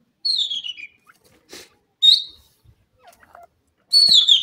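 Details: Grey francolin, known locally as Dakhni teetar, calling in high spirits; shrill whistled notes that slide downward, given three times in about four seconds, with faint clicks between them.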